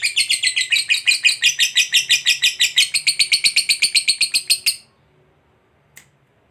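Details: Fighter lovebird delivering its long 'ngekek panjang' trill that prompts other lovebirds to sing: nearly five seconds of fast, rattling, repeated harsh notes, then quiet broken by one short chirp.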